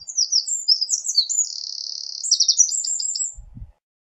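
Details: Eurasian wren singing a rapid, high, continuous outpouring of sharp notes and a long buzzing trill, lasting over three seconds before a brief low thump and silence.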